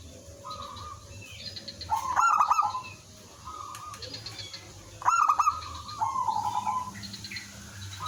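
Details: Zebra dove calling as a lure, drawing answers from other doves: two loud staccato-then-trilled phrases about three seconds apart, with quieter trilled coos before, between and after.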